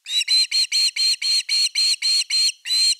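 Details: Osprey at its nest on an evening in late August 2021 with a fish: an insistent string of eleven shrill, whistled notes, around four per second, evenly spaced.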